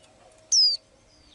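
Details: Little bird with blue eyes that sings daily: one piercing high whistle gliding downward, then a fainter thin whistle, over a low steady hum.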